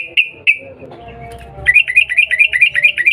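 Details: Sooty-headed bulbul calling to provoke a reply: two short clear chirps, then a fast run of about ten rising whistled notes repeated several times a second.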